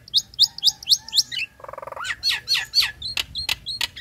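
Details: Nias hill myna female calling to a male while in breeding condition. Five quick downslurred whistles come first, then a low buzzy rattle, more slurred whistles and sharp clicking notes.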